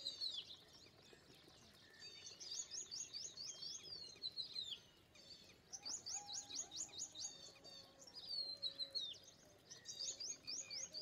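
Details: Indian pied myna giving repeated rattling series of high, buzzy chirps in three bursts, with softer lower notes and twitters between them.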